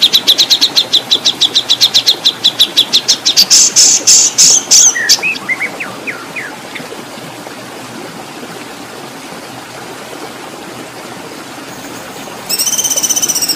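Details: Oriental magpie-robin song for tutoring contest birds, long-rhythm besetan and kasaran style: a rapid train of high, clipped chirps that speeds into a dense trill, fades to a few scattered notes, and is followed by a quiet stretch and a short bright burst.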